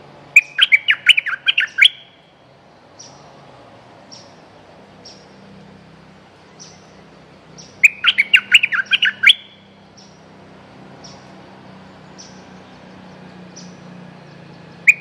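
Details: Streak-eared bulbul, described as a territory-holding bird with a fine voice and fierce song, used as a lure sound: two bursts of quick, chattering, bubbly notes about six seconds apart, with soft faint whistles in between over a low hum.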